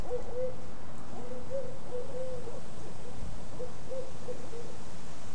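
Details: Barred Owls, two in the same area, in Mead Gardens park, Orlando, Florida, give a mellow, rhythmic series of short hoots, about three or four per second in loose groups, over a steady low rumble.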